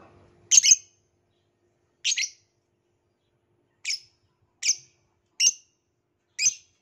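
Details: Lone violet lovebird calls with short, piercing, harsh chirps spaced about a second apart in an otherwise quiet setting, the first note doubled.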